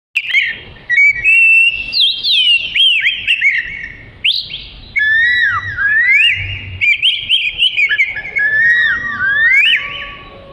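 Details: Oriental magpie-robin, a black-and-white songbird with a long tail, singing a sweet varied song used as a model for training other birds: rich whistled phrases sliding up and down, with quick twittering notes in near-continuous flow.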